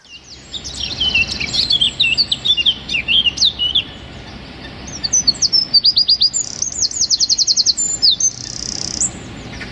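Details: Loud wren masteran song in the close rapid-fire style: twisting high warbled phrases followed by evenly spaced, fast repeated notes in several runs, with a faint low background hum.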